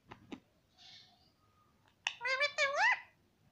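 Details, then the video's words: Indian ringneck parakeet mimicking the word "mummy": faint clicks, then a loud run of nasal, rising-and-falling voiced syllables in the second half of the recording, indoors. "Mummy Bolne Wala Parrot _ Talking Parrot _ Ringneck beautiful parrot"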